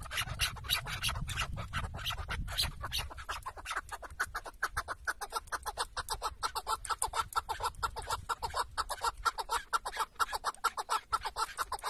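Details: Chukar partridge, tethered decoy on a partridge hunt in Şırnak, Turkey, starts over some rumbling noise, then settles into a long, regular train of sharp clucking chuk notes that speeds into a rattling chatter.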